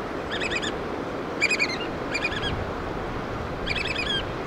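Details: Adult black oystercatchers tending chicks call in quick bursts of piercing, stuttering whistled notes, four bursts in under five seconds, with constant surf noise behind.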